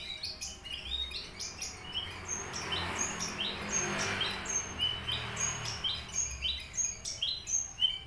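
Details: Horsfield's bush lark (aliena, Papua) kept in a cage, singing actively with rapid, varied high notes: thin whistles, chips and rising slurs tumbling in quick succession, some hiss beneath.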